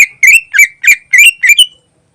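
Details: Greater green leafbird, song used as a lure: six loud, slurred whistled phrases in quick succession, each bending up or down, about three per second, then silence.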